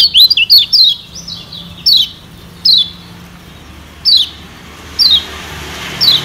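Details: Yellow white-eye of Lombok (kecial kuning), played as a lure to draw wild birds: quick opening chirps, then single sharp falling whistles spaced about a second apart, softer warbling between, low background hum.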